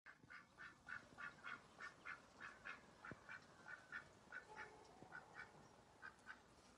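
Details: Ducks quacking in a steady series of short, nasal calls, roughly one to two per second, with a few louder bursts and faint background noise.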